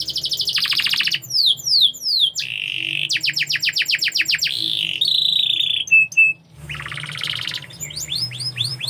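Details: Singing canary moving through a buzzy trill, falling whistled slides, a fast pulsed roll, a short level whistle, then another rolling tour; a low hum runs underneath.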